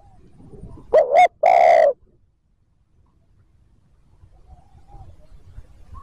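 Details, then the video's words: Spotted dove cooing in the 'thúc gù' style used to provoke wild birds: one phrase of a quick wavering double note followed by a long, deep coo, then silence with faint low background noise. "TIẾNG CHIM CU GÁY THÚC GÙ KÍCH BỔI NHANH NỔI CỰC SUNG, MỒI NGHE LÀ GÁY"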